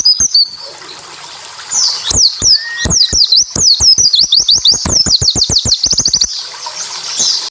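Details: Japanese white-eye singing the dense 'shooting' song used to spur others to answer: a few chirps, then four seconds of accelerating high swooping notes, crowding together at the end before fading into hiss.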